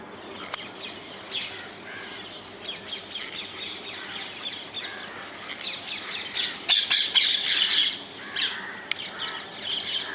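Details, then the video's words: Rose-ringed parakeets calling in the wild in the Netherlands, a flock of harsh, scratchy squawks at irregular intervals, building to a dense burst of loud screeching near the seventh second, then trailing off into scattered calls. "Indian ringneck parrots in the wild, ringneck parakeets sounds"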